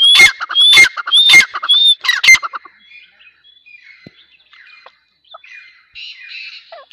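Grey francolin giving loud, harsh, high-pitched notes in a quick run of about five, roughly two per second, then fainter scattered chirps.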